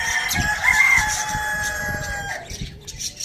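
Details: Farm-village rooster giving a long, loud crow, strong and steady for over two seconds before dropping away at the end. Steady background noise runs underneath.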